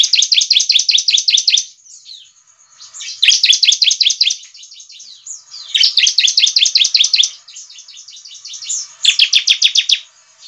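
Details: Bar-winged prinia; song; provoking other birds of its kind to answer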